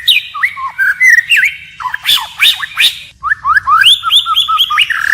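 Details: White-rumped shama singing in a wild-forest style, switching phrases continuously: varied clear whistled notes, with rising and falling slurs and short upswept loops, delivered in quick phrases separated by brief gaps.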